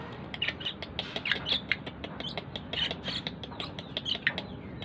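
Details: Asian pied starling, tame, chattering steadily: dense harsh squawky notes and scratchy chirps run together without pause, with a faint hum behind.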